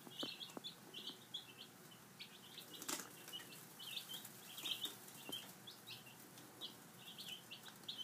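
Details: Five-day-old chicks at breakfast: many high, thin peeps overlap constantly from several birds, with scattered sharp taps and clicks from pecking at food, and a brief loud knock.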